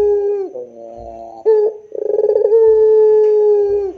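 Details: Barbary dove (puter) giving the drawn-out pelung-style coo: a falling opening note, then a rolling pulsed burst that settles into a long steady tonal hum lasting over a second, ending with a drop.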